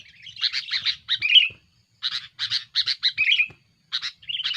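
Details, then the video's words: Aggressive sooty-headed bulbul song for luring and challenging rivals: dense bursts of chattering notes with short slurred buzzy phrases, broken by brief pauses. "suara burung kutilang gacor"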